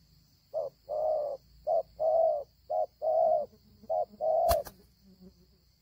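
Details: Wild spotted dove repeating short-then-long coo pairs; the cooing stops after a sharp click near the end, followed by quiet background and a faint steady high tone.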